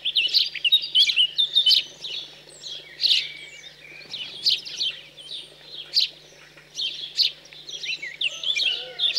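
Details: House sparrow fledglings begging insistently while being fed, cold countryside of central France, 15 June 2020; dense, excited stream of overlapping chirps and squeaks with hardly a pause.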